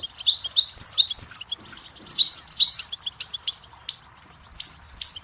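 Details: Goldfinch song made of loud, jingling twittered phrases at the start and middle, followed by scattered single chirps.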